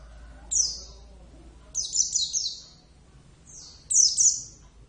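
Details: Captive Javan Oriental white-eye (Zosterops palpebrosus javanus) singing actively: three bursts of very high, thin chirps spaced about 1.5 seconds apart. Each burst is a quick run of descending, slurred notes, with quiet low background hum.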